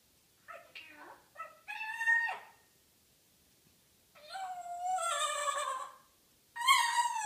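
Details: Pet African grey parrot in its morning banter, giving short harmonic squawks, then a long drawn-out nasal wail and a final loud harmonic cry.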